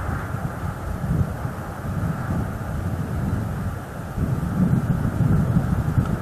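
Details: Steady wind buffeting the microphone over a low engine-like rumble, with no animal calls heard.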